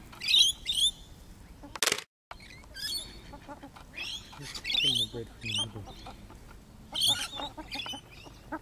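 Rainbow lorikeets give harsh, grating screeches and chattering squeals in overlapping bursts every second or so, with a brief cut partway through.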